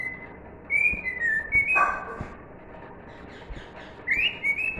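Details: Pet cockatiel singing "If You're Happy and You Know It", pure whistled notes in short stepped phrases, interrupted by a brief rustling burst midway before a rising whistle resumes.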